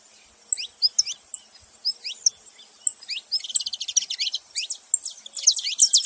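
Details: Saffron finch song opening with spaced, sharp descending chirps, then speeding into rapid buzzy trills and dense high chirping toward the end.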